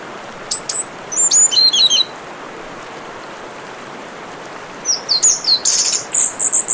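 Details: Orange-headed thrush song with a backdrop of running water: a short burst of very high, thin, twittering notes, then about three seconds of only water hiss, then a longer rapid series of high chirps and trills.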